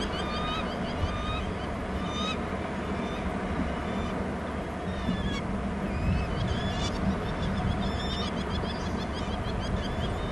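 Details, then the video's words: Bald eagles at a Hornby Island nest territory: the female calls as the male flies in from inland, with raspy calls. Short high whistled notes, each sliding downward, come in scattered bursts over a steady broad rushing background. "em calling as mr em in from inland, em raspy calls"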